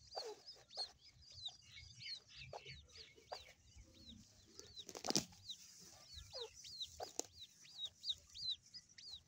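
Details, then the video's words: Young grey francolin chicks peeping: rapid, high, thin chirps that bend up and down, coming in loose bursts over quiet background noise, with a soft thump near the middle. "irani teetar baby | Partridge baby"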